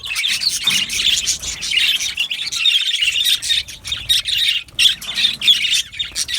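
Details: Aviary colony of yellow male budgerigars giving busy high warbling chirps and squeaky notes, the chorus thinning briefly in places before surging again.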